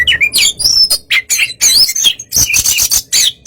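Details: Oriental magpie-robin giving relaxed song meant to rouse a sluggish rival to answer: rapid, rich, varied phrases mixing high thin whistles, harsh scratchy notes and buzzy trills in quick bursts, with a faint low hum beneath.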